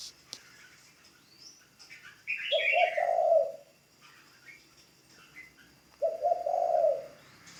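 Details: Newly trained ground decoy spotted dove utters two drawn-out, low, rough coos roughly four seconds apart, each just preceded by a short high chirp from a second bird.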